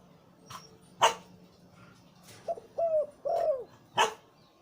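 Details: Deep-voiced breeding male zebra dove coos in the Liw Tan style, giving a short series of rolling, falling notes, interrupted by several sharp knocking sounds before and after.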